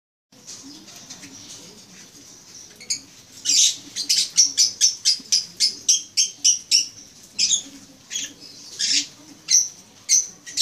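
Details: Eye-ring African lovebirds kept in a mini aviary in the Philippines, recorded May 17, 2015: shrill, sharp chirps in a quick, uneven series that grows louder after a soft start, about two calls a second, with a faint low hum beneath.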